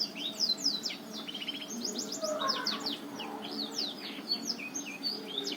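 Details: Black-throated canary of Botswana stock sings a fast, rambling string of high, sweet twitters, trills and slurred whistles over a faint low hum; a lure song for birds reluctant to sing.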